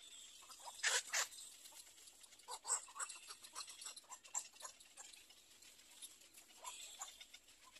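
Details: Little egret chick in its nest: quiet, rapid dry ticking and clicking notes in uneven runs, with two louder harsh bursts early on and one near the third second, over a steady high-pitched hiss.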